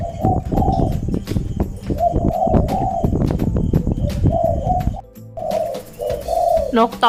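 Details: Captive decoy Spotted Dove cooing without stopping indoors: deep, rolling coos in repeated phrases, broken by clicks, knocks and handling noises, with a short pause before further coos.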